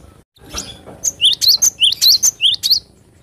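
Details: Cinereous tit singing vigorously: after a quiet start, a fast run of sharp paired notes, each a high whistled note followed by a lower rising chirp, repeated about eight times in under two seconds.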